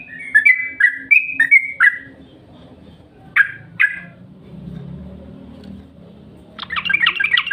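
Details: Yellow-vented bulbul lure call: a few harsh, chattering notes in quick succession, then two short sharp calls after a pause, ending with a burst of rapid scratchy chatter; soft low background rumble.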